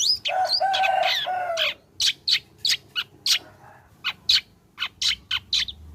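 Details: Long-tailed shrike song used as a lure to make shrikes sing: starts with a run of harmonic, nasal whistled notes, then breaks into short harsh chips spaced about half a second apart.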